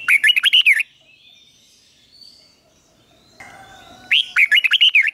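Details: Red-whiskered bulbul decoy song aimed at drawing rivals to fight: a quick run of lively warbled whistles, several seconds of near silence with faint background sounds, then the same rapid phrase again.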